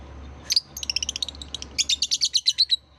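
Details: Therapy sound for young lovebirds learning to sing: one loud squeak, then a fast run of thin, high, ticking chirps that grows louder and more buzzy, about a dozen notes in two seconds.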